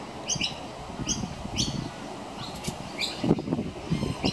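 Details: A juvenile Pied butcherbird begs as its mother feeds it minced beef on a veranda railing: short, harsh, repeated squeaky notes about every half second, over low rumble and rustling.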